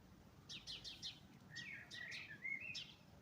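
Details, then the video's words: Birdsong at dawn in spring: a quiet series of short high chirps, then sliding, slurred whistled notes, over a soft background hiss. "Құстар үнімен көктемде келді. Весна пришла под пение птиц"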